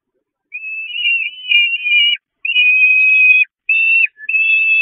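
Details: Hungry peregrine falcon chicks at a nest on St. Catherine's Church, May 2021, attacking their mother for food: long, loud, shrill drawn-out wails, three to four extended screams with short gaps.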